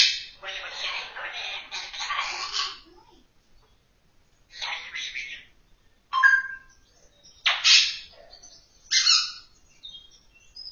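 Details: African grey parrot talking: raspy, speech-like phrases in bursts a second or two long, separated by pauses, then short clear whistled notes and a sharp rising whistle near the end.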